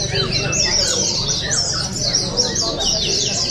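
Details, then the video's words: Contest song of oriental white-eyes at an open singing and style competition in Balingian, Sarawak, 2023; rapid high chattering phrases overlap densely, with a few lower slurred notes and steady low hum beneath. "Juara Pleci"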